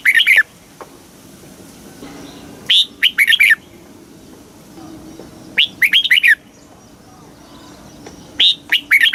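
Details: Southern master-style song of a red-whiskered bulbul from Thailand, meant to stir caged birds and train young ones: four brief chirpy phrases of rapid, rising and falling whistled notes, repeated roughly every three seconds.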